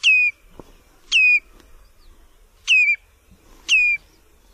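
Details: Common redshank calling: four clear, loud whistled notes, each dropping sharply then levelling off, spaced about one to one and a half seconds apart over quiet background.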